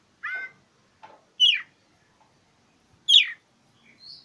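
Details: Oriental magpie-robin singing to seek an opponent, meant as a trigger for mute birds. A ringing note opens, then two harsh descending sweeps about a second and a half apart, and a closing high whistle.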